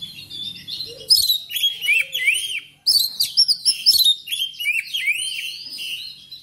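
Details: Oriental magpie-robin (Copsychus saularis) song, used to stir pet magpie-robins into singing: a rich, fast stream of clear whistles, slurred notes and sharp chips with a brief pause midway, no other sounds.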